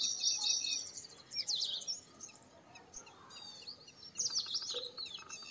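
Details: Purple sunbird producing short bursts of thin, high twittering and squeaky slurred notes, separated by quiet gaps over a faint background hiss.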